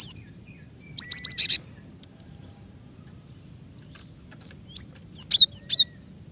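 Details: A female cinereous tit calls for the male with a run of four fast, high chirps, then after a pause a few scattered sharp notes and a final group of three.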